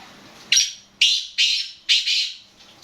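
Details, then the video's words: Calling black francolin (kala teetar): four loud, grating, noisy notes roughly every half second, each starting sharply and fading, with little else audible. "Kala Teetar Nawab Black Francolin Calling Masti Our Bolai"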